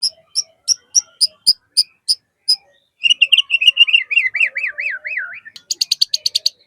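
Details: White-rumped shama (murai batu), male, singing energetically with 'isian' filler phrases, played as a lure to get pet shamas singing. Sharp high notes repeat about every third of a second, then a wavering trilled warble, then a fast run of high ticking notes.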